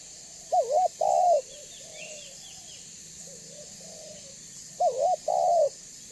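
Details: Spotted dove, a strong-voiced lure bird meant to draw other doves to call and come near, giving loud two-part coos: a short wavering note then a longer falling one, repeated after a pause, with softer coos between and faint chirps above.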